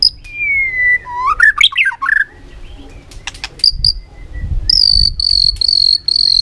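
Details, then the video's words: White-rumped shama song with varied forest-style phrases: a long falling whistle, tumbling warbled notes, then a run of high, clear repeated whistles, over low background rumble. "chòe lửa hót nhiều giọng rừng hay"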